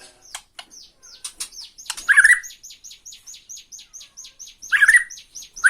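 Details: White-rumped shama from Borneo taunting a rival with tretekan: a steady run of about twenty thin high downslurred notes, broken by loud harsh buzzy bursts.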